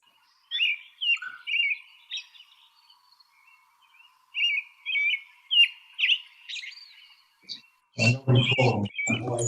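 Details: American robin (Turdus migratorius) song: short, clear, rising and falling whistled carolling phrases, about two per second, before a man's voice breaks in at the end.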